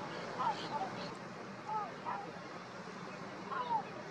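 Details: Olrog's gull in wetlands of the Maldonado river estuary, Uruguay, July 2023: a few short, mewing calls sliding downward, spaced irregularly, over steady wind or surf noise.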